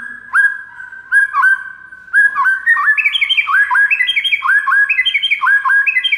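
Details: White-rumped shama master song for making other shamas respond: mid-pitched whistled notes that speed into a rapid, bubbling string of rising slurred whistles, stepping up and down in pitch.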